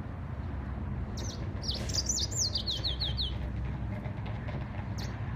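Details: Yellow-fronted canary singing a lively two-second phrase of rapid, high sweeping notes that descend toward the end. A single short high note follows later. A low background rumble is continuous throughout.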